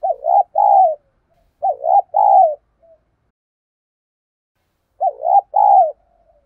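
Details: Spotted dove used as a decoy, cooing insistently to draw in rival wild birds; three deep, soft phrases, two in quick succession and one after a longer gap, each a dipping double note then a sustained coo.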